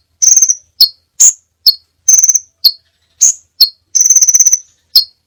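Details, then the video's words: Crimson sunbird singing a varied song for song-tutoring: short stuttering trills and single sharp, high chips alternate about twice a second against a silent background. "masteran burung sepah raja banyak variasi ( suara audio kicau burung )"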